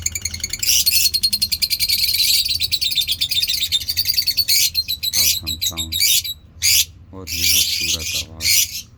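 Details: Mutation African lovebirds kept as pets, chattering ngekek-style while feeding: a long, dense, buzzy trill lasting several seconds, then choppy harsh bursts mixed with lower, rapidly pulsed nasal notes.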